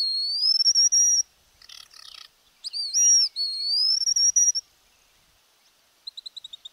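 Streamer-tailed Tyrant: loud, high whistled notes sweeping upward and holding, broken by a brief burst of harsh chatter, ending in a quick run of short, clipped notes.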